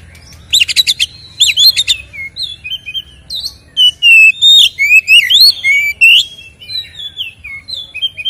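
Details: Captive white-rumped shama singing a fighting-style song meant to excite rival kept birds: harsh rattling bursts give way to rich, varied whistles, rising and falling slurs and quick warbled runs, delivered loudly and close, over a faint low background hum.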